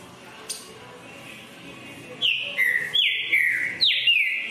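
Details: After a near-silent start, a green-winged saltator breaks into loud whistled song, a rapid series of rich notes that each drop in pitch, about three per second.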